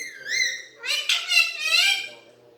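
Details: Talking desi Alexandrine parakeet opens with a clear whistled rising note, then runs on into a loud, harsh, continuous burst of word-like chatter.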